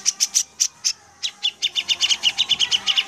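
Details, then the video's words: Grey-cheeked Bulbul giving a rapid run of sharp, high chirps: a few higher notes first, then a faster, lower, steady chatter of about seven notes a second. "C.jenggot Guacoor"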